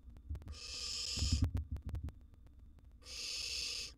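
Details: A young wild barn owl in a nest box, swallowing a huge gerbil, gives two long rasping hisses about two seconds apart, with muffled bumps and scuffling between them and a faint constant hum behind.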